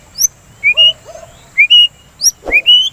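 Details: White-rumped shama song played to stimulate a kept bird to sing and calm it when in breeding condition: clear whistled notes, each a short slur followed by a level higher whistle, repeated about once a second, plus a brief low grunt.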